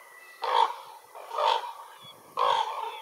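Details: Ravens calling: three harsh, hoarse calls, each about a fifth of a second long, spaced roughly a second apart, over quiet outdoor background.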